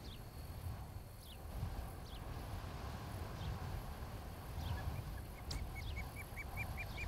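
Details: Osprey at a nest camera in Charlo, Montana, on a late afternoon in July, where a pair is nesting; a late run of short, clipped whistled chirps repeated rapidly, with a few thin descending notes earlier over steady low rumbling wind noise.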